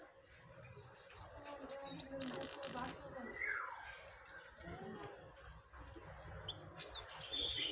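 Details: Wild jongkangan singing against a caged jongkangan: a fast burst of high, sharp twittering notes repeated about three times a second, then a descending whistled slur and scattered calls, with quiet background murmur.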